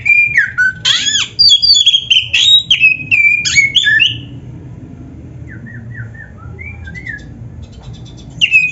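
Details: Oriental magpie-robin (kacer) tutor song for caged birds: four seconds of loud, varied whistles and buzzy notes, then softer short whistled notes, and a strong phrase again at the end, over a low rumble.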